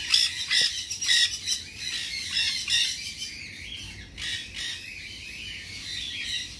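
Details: Ringed baby nanday conure of tame size at a Bangabazar market pet shop, squawking in rapid harsh bursts that start loud and fade into quieter scratchy calls.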